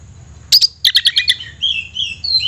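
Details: Caged Oriental magpie-robin producing a quick run of about six sharp chipping notes, followed by thin drawn-out whistles.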